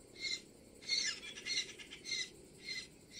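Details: Great Spotted Cuckoo (Clamator glandarius): harsh, rasping chatters in short bursts, about five in three seconds, over a quiet background.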